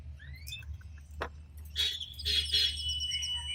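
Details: Male canary singing beside the female as she tends the first egg and adjusts the nest: rising whistled notes, a short buzzy burst, then steady high whistled tones held over a low constant hum.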